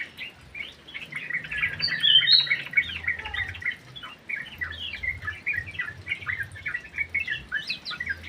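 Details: Sooty-headed bulbul singing vigorously inside an aviary: a dense run of short, bubbly chirped notes, some rising and some falling, with a louder burst of higher whistles near the middle and a faint low hum beneath.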